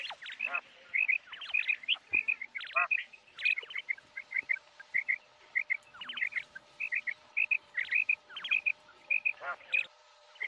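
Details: Common quail giving rhythmic clusters of two or three sharp, liquid whistled notes, repeated roughly every half second to second over a quiet background with a faint steady hum.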